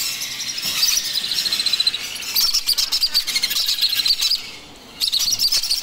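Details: Baby macaw calling at feeding time: rapid, raspy, high-pitched pulsed calls in quick bursts, rising and falling in loudness, with a short pause near the end before the harsh rhythmic calls resume.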